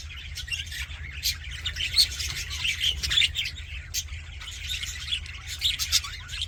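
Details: Cheerful budgerigar sounds, dense scratchy warbling with scattered sharp chirps throughout, several birds seemingly chattering at once over a constant low rumble.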